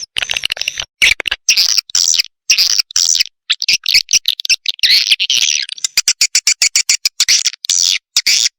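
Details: Swiftlet chicks, played to attract swiftlets, give dense rasping chatter: rapid buzzy pulses run together into harsh rattling phrases, broken by short pauses and quicker clipped notes toward the end.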